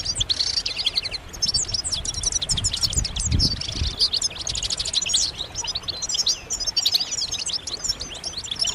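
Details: Group chirping of European goldfinches, meant to prompt males to sing and become excited. A harsh buzzy burst opens, then rapid high twittering and tinkling notes continue throughout, with a short low rumble near the middle.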